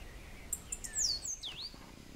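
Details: Cabanis's ground sparrow in Grecia, Costa Rica, giving a quick series of high thin notes: tiny ticks leading into bright downslurred whistles and a swooping dip-and-rise note, over faint background hiss.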